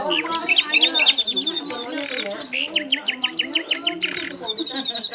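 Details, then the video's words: Asian brown flycatcher in busy song: quick high chirps and twitters, then a run of sharp, evenly repeated upswept notes, over a continuous background of lower warbling. "MASTERAN BURUNG SIKATAN LONDO GACOR"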